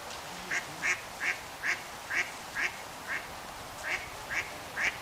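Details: Eastern Spot-billed Duck calling on the Onda River in the Tsurumi River system, Japan, during cherry blossom season: a run of about ten short, nasal quacks, roughly two per second, over a soft background hiss.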